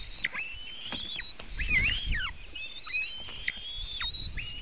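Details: Feeding time for White-tailed eagle eaglets at a nest in Latvia, webcam, 24 June 2018 at about 3:23pm: sustained shrill whistles with brief downward dips and flicks, heard almost nonstop over low background rumble.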